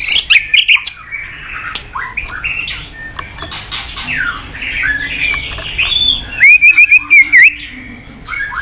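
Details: Morning song of a white-rumped shama, used as a lure to train cage birds. A continuous medley of varied whistled and warbled phrases ends in a bright, rapid run of five or six repeated notes, with background hiss.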